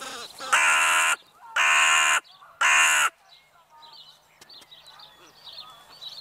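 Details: Crows on an evening outing give three loud, harsh, drawn-out caws in quick succession, each about half a second long. Softer chirping from small birds continues quietly in the background.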